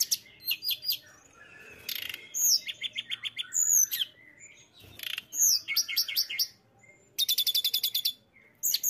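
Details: Mountain tailorbird in full, energetic song: rapid high trills, repeated thin whistled notes, descending slurs and scratchy bursts, with a long fast rattling trill near the end.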